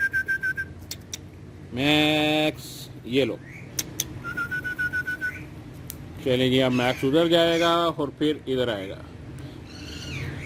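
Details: Talking green ringneck parrot on a wall speaking Urdu or Hindi words in a voiced, nasal tone with gliding pitch, broken by short whistles and a steady whistled note, with background hum.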